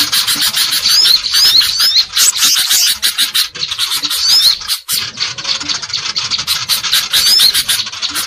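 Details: Greater green leafbird giving noisy, agitated calls used as a lure to attract birds: a dense, continuous high-pitched chatter of scratchy notes, with short rising whistled slurs breaking through now and then, and a brief pause midway.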